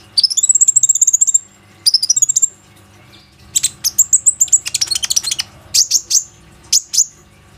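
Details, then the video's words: Plain-throated sunbird song used as a lure to make other sunbirds sing, phone recording: thin, very high rapid trills in short bursts, followed by a quick series of sharp high notes with brief pauses between them. "PANCINGAN KONIN GACOR INI PANDAI MEMANCING KOLIBRI NINJA LAIN AGAR IKUT RAJIN BUNYI"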